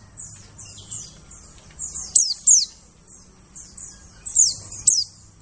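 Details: Lure sound of a white-eye for attracting birds in the forest: sharp, piercing downslurred chirps, often paired, repeated roughly every two seconds over a quiet background.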